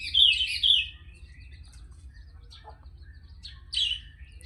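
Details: Sooty-headed bulbul in lively song: a rich, liquid warbled phrase at the start, then a pause with faint chirps, and another bright bubbly phrase near the end over a soft low hum.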